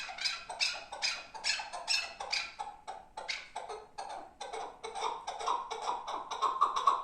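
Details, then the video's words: Chukar partridge from the Pamir: harsh, broadband chucking notes repeated a little over twice a second, becoming more even and tonal toward the end. "Кабки Помир"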